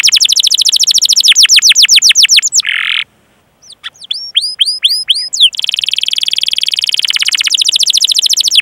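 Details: Canary song for training other canaries: quick rolling trills of sweeping notes, a brief buzzy burst, a short pause, then upswept whistles and a long rapid rattling trill.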